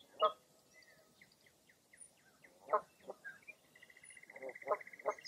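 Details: Foggy April morning at Mirror Lake State Park, Wisconsin: loud grating calls, a quick series of descending chirps, and a long, even, rapidly pulsed trill near the end.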